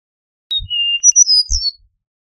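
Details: Slurred whistled song of an Eastern meadowlark: a high opening note, a long level whistle, then quick sliding notes falling away at the end, accompanied by two soft low bumps.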